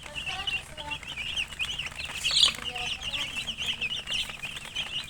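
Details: Domestic chicken chicks chirping as a flock: rapid, high-pitched peeps tumbling over one another, with one sharper, louder peep standing out midway.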